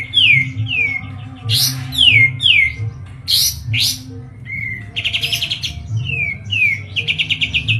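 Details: White-eye from Medan kept in a cage, singing a lively varied song: descending whistled slurs, sharp explosive notes, short buzzy trills repeated in rapid pulses, all over a constant low hum.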